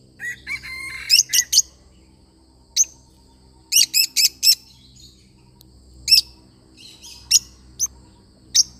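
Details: Pet lovebird parrot singing: sharp, high chirps in bursts, some as quick triplets, others single, separated by short pauses, with a faint low hum in the background.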